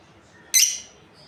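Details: Single sharp, high chirp with a descending tail from a lovebird breeding pair, in a quiet setting.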